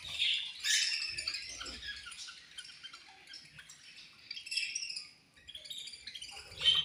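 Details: Budgerigars feeding, described as angry while eating, produce softer, scratchy high twittering with scattered chirps, swelling again toward the end and ending in a sharp squeak.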